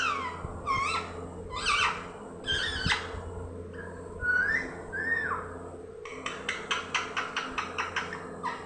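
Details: Young green parrot calling: harmonic, warbling squawks with rising and falling notes, then a fast run of short, clipped, repeated notes, indoors with a steady low hum.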